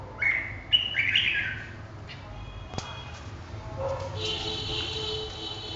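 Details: Red-whiskered bulbul opening with a quick cluster of clear, sliding whistled notes in the first second and a half, followed by quieter chatter and background noise.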